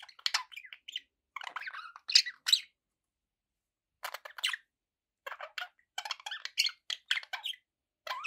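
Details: Pet budgerigars give bursts of scratchy chirping and warbling chatter, with sharp squeaks, broken by a couple of silent gaps.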